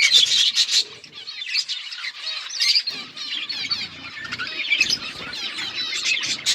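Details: Several budgerigars chirp and warble at once, loud bursts of rapid scratchy notes at the start easing into continuous busy chatter with brief whistled inflections.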